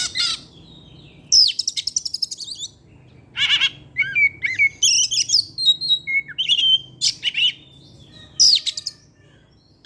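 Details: Caged Oriental magpie-robin (kacer) in full evening song used as a lure: dense runs of harsh rattling notes mixed with sweet rising and falling whistles, delivered in quick phrases with almost no gaps.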